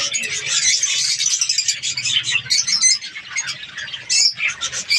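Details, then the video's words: Budgerigar colony during breeding season in Pakistan, dense high chattering with squawky notes, a sharper squawk near four seconds, faint low hum below. "australian parrots budgies ke birds colony"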